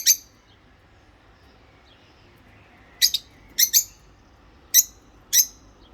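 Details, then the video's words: Pair of rosy-faced lovebirds chirping and singing: scattered shrill, buzzy chirps, some doubled, spaced irregularly about a second apart, with faint softer twitters between them. "Love Bird Singing And Chirping Sound// Rosy Faced Love Bird"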